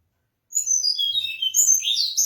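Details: Mangrove blue flycatcher song: a rapid phrase of clear high whistled notes stepping down from very high to lower pitch, then rising and falling warbled notes, loud against silent background.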